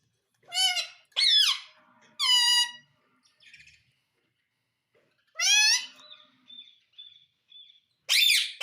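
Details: Pet parrot vocalizing indoors: loud harmonic squawks and rising-falling calls in short bursts, with a fainter warbling segment and quiet steady whistled notes between them.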